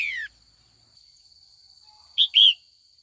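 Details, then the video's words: Female red-whiskered bulbul, trained to call in the afternoon so mature wild males answer in competitive song. A descending slur trails off at the start, then after a pause come two clear notes, the second longer. A constant high whine is audible. "Luyện chào mào mái chiều gọi bổi già rừng hót đấu ra giọng chuẩn nhất vùng miền"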